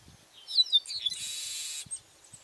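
Chestnut-capped Blackbird: a few quick high chirping notes, then a harsh, buzzy wheeze held for nearly a second; faint rustling background.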